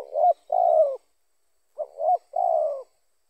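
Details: A spotted dove that had just come down to a lure and was caught before it could fully coo gives two soft, low cooing phrases, each a quick broken note followed by a longer falling coo, with a brief pause between.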